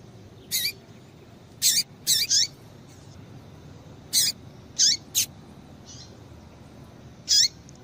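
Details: Calls of a female double-collared seedeater meant to stir up males: sharp high chirps, some with a falling then rising tail, given singly and in clusters of two or three at uneven intervals.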